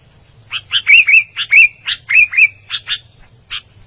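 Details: An albino sooty-headed bulbul sings a lively, chattering string of about a dozen notes: cheerful rising-and-falling whistles mixed with short sharp chips, closing with a few spaced chirps.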